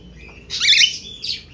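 An Australian finch gives a brief, high, scratchy twittering burst, followed by a shorter chattering phrase about half a second later.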